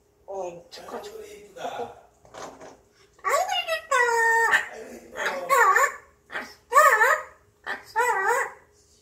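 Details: A grey parrot in a good mood hums to itself in a quiet room: a run of wavering, speech-like tones and whistled notes that rise and fall in pitch, with brief pauses between phrases.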